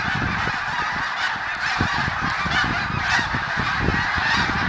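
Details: A large flock of snow geese in 2014 keeps up a dense, unbroken din of overlapping nasal, yelping honks, with no pauses.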